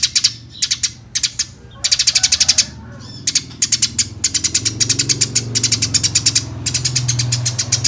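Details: Eurasian tree sparrow calling energetically, a master recording for training caged songbirds; dense strings of loud, clipped chirps repeated in rapid rhythmic trains, nearly continuous after a short gap, over low background rumble.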